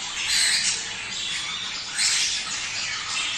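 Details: Budgerigar chatter used to stimulate breeding: a high, raspy squawking warble, with two louder swells near the start and at two seconds.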